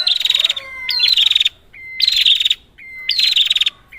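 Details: Red-headed prinia call used as a lure for trapping prinias: three loud, buzzy bursts of rapid high trilled notes, each about half a second long and roughly one second apart. A short, flat whistled note sits between them, with clean silence around.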